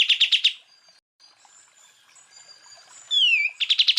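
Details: Greater green leafbird, cucak ijo, in full tembakan song bursts used as masteran training material for other birds: a quick burst of about five sharp repeated chirps, faint thin whistles, then a loud downslurred whistle and another rapid chirp burst.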